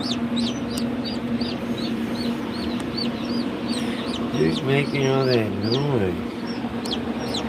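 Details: Ayam Cemani chicken giving a low, harmonic, wavering call lasting about a second and a half midway through, set against a steady stream of rapid, high, repeated chirps from small birds.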